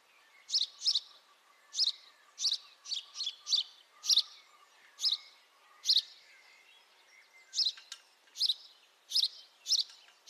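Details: Steady chirping from a house sparrow: bright, piercing notes, often doubled, repeated every half second to a second over ten seconds, with a low background drone.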